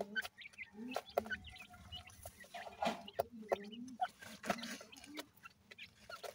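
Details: Partridge chicks being fed traditional desi feed: a run of short, sharp chirps and peeps, mixed with lower, smoother clucking notes and scattered tapping or pecking sounds.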